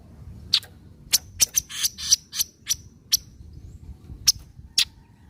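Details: Javan kingfisher giving its 'nyecret' call, used to prompt silent birds into calling: a fast cluster of harsh, scratchy chips in the middle, then a few spaced single notes, with a low rumble beneath.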